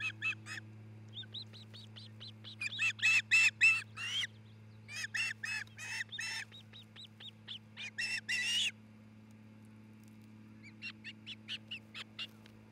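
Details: Osprey (Pandion haliaetus) of a nesting pair at a nest in Charlo, Montana, recorded by nest cam on 27 June 2018 in early afternoon, gives bursts of rapid, high, piercing chirps in quick series over a steady low electrical hum.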